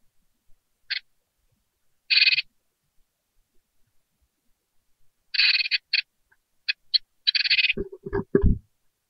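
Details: Great tit nestlings, freshly hatched in a nest box and awaiting feeding, give scattered raspy begging bursts, a few longer grating runs, then low rustling and thumping sounds at the end.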